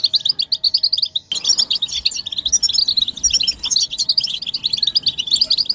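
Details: Group chattering of European goldfinches, calls of mating and readiness played to spur males to sing; a short twittering burst, a sudden pause, then a louder, fuller run of quick tinkling notes.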